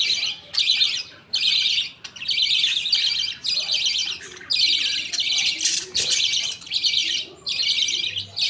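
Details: Budgies at feeding time, the father passing millet paste to two chicks as others await their turn; scratchy, buzzing chirps repeat irregularly, over one per second.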